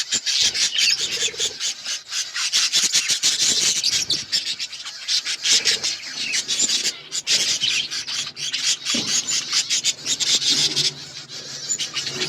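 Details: Pet budgerigars in steady, busy chatter: scratchy, raspy buzzing mixed with quick high twitters, almost unbroken for twelve seconds, with a soft low hum underneath.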